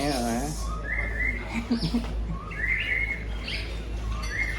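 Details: Greater green leafbird showing off its mimicked repertoire, including tengkek udang and jinjing petulak material. A man speaks briefly at the start, then clear whistled notes slide and hold, with steady low hum underneath.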